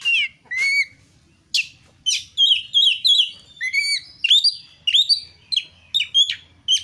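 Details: Oriental magpie-robin (kacer) singing to provoke other kacer: clear rising whistles and slurred notes, some with crisp clicks, delivered in steady separate phrases after a short pause.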